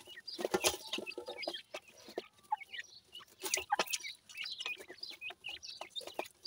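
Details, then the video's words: Baby pheasants pleased with new food, chirping in short bright peeps and slurred notes, many birds overlapping, with bursts of pecking clicks. "baby pheasant is very happy with the new food today,teter baby"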